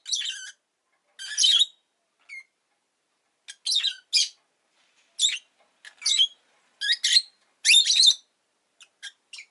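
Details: Rosy-faced lovebird kept as a pet, chirping in short scratchy bursts and clipped tweets spaced about a second apart, with a few thin high notes in the gaps.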